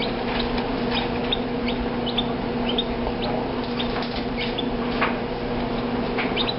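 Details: Two chicks, a Rhode Island Red and a Dominique, give short high peeps that slide downward, scattered irregularly through the recording over a steady low hum, with soft scratching and rustling.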